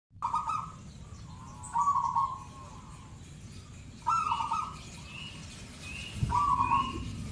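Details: Local wild zebra dove in "kristal panjang" style: four trilled, vibrating coos near the same low pitch, each about half a second long and spaced roughly two seconds apart, over steady low rumbling background noise and faint higher tones.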